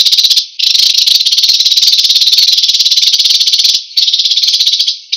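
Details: An American sparrow singing, offered as a model for training cage songbirds. It gives a long, loud, fast-pulsed high rattle-like trill with two short breaks.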